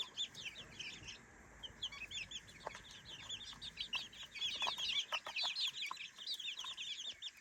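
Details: Several three-week-old baby chickens roaming their new playpen by day, chirping in dense high peeps about twice a second, rising to a busier, louder chorus halfway through.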